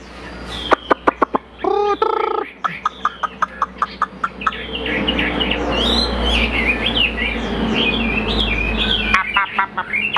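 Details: Caged Chinese hwamei, a tame bird said to sing and fight well: sharp clicks and a brief harsh burst, then a long stretch of varied whistled phrases, sweeping and warbling, over low background hum and some human voice.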